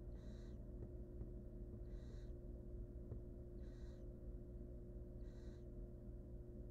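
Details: Four drawn-out wheezing hisses from hungry wild barn owl nestlings inside a monitored nest box, each burst spaced about one and a half seconds apart, a few faint clicks between, low steady hum behind.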